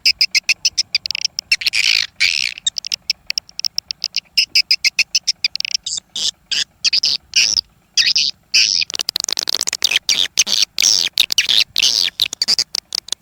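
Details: Swiftlet test sound, a recording imported from Malaysia and played in swiftlet houses: dense, rapid twittering of high, dry chirps and clicks, with short gaps between bursts.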